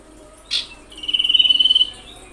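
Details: Common iora lure call used to provoke other ioras: a short sharp chip, then a buzzy, finely pulsed trill held at a steady high pitch for about a second, over a quiet background.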